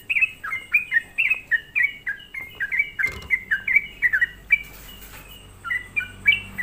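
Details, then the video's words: Sooty-headed bulbul lure song for provoking other bulbuls: repeated clear falling notes in a steady rhythm, a thud partway, then fainter notes over a low hum. "hanya Hitungan menit semua burung trucuk di buat emosi dengan suara pancingan trucukan gacor ini"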